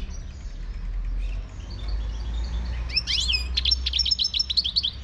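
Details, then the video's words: Moroccan 'khlawi' European goldfinch singing: after three seconds of low rumbling background, a burst of bright, rapid twittering and tinkling notes with quick upward and downward sweeps fills the last two seconds. "تغريد #الحسون الخلوي المغربي"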